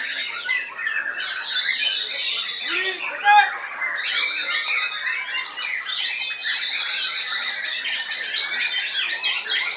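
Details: White-rumped shama, a kept songbird, delivering a continuous varied song of sharp whistles, trills and rapid chattering phrases, with other birds chirping in the background.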